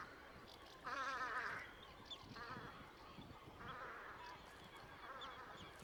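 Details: Velvet scoter at Liepāja, Latvia, March 2024: one loud rasping, buzzy call, followed by several fainter, more distant grating calls over a constant background rumble.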